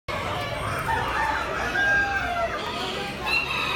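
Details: Dark red Aztec miniature rooster crowing at the Yekas poultry show, 20 October 2019: a drawn-out, hoarse, wavering crow beneath steady crowd chatter and hall noise.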